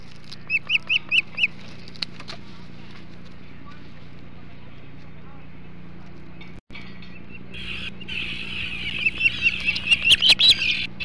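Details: Hog Island ospreys feeding on a large flounder at the nest, morning of 21 July 2016; a fast run of five clear whistled chirps at the start, then loud rushing wind with more chirps rising through it.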